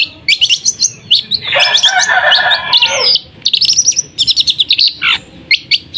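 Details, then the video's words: Long-tailed shrike delivering an excellent "tembakan" from East Java: quick high chirps, then a dense harsh buzzy chatter, a clipped series of whistled notes and a short descending slur, ending in scattered chirps. "tembakan pentet istimewa"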